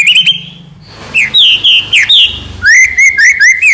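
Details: White-rumped shama, known locally as murai batu, delivering clear whistled notes: a quick high flourish, a pause, then rising slurs and a rapid string of repeated upswept whistles.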